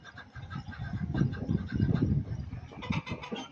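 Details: An angry turkey hen in Buner, Khyber Pakhtunkhwa, makes low, rapid, rough clucking and purring notes in a busy run, with brighter chirps near the end.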